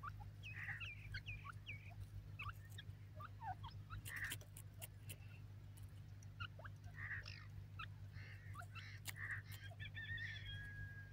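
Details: Group of young Grey francolins exploring and playing in Pakistani forest; many brief chirps and quick rising peeps come irregularly, mixed with sharp clicks and a constant low droning hum.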